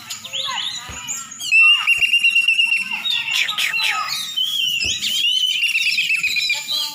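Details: Aceh champion oriental magpie-robin: varied chirps lead into a long clear whistled note, followed by looping whistles and twitters, with a soft low hum beneath.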